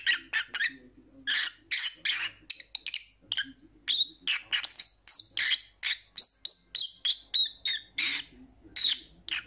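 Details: Lovebird giving a rapid series of shrill, sharp chirps and short squeaks, closely spaced with brief gaps, with a faint low murmur underneath.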